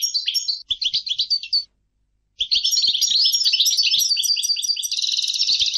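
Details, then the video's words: European goldfinch singing: rapid tinkling twitters and buzzy trills high in pitch, a short burst, a pause of about a second, then a longer continuous warbling run ending in a dense buzzy trill. "Goldfinch singing - canto del cardellino"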